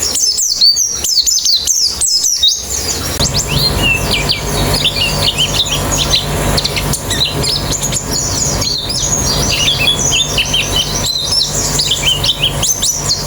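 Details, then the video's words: High white-eye chirping, meant to get birds singing fast with open beaks: clear quick notes at first, then continuous twittering set against loud broadband hiss and a low hum. "Terapi Pleci Cepat Ngalas Buka Paruh"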